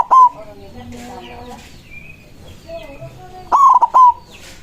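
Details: White zebra dove singing loudly to call rivals: one bright, rolling coo phrase at the start and another near the end, each a quick stutter ending in a drawn-out note, with faint bird chatter between.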